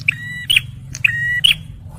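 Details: Two buzzy, level notes of a male bar-winged prinia, each ending in a bright squeaky click, sung for luring and prompting stressed birds over a steady low hum.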